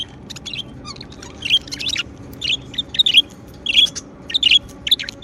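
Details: Cheerful pet budgerigars keep up lively, rapid chirping, with clustered warbles and squeaky notes coming in quick bursts.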